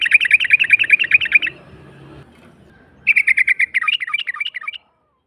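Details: Yellow-vented bulbul ngalas call, used to get silent bulbuls singing: rapid high chattering notes break off, then return after a quiet gap as a second run that slips slightly lower in pitch near its end.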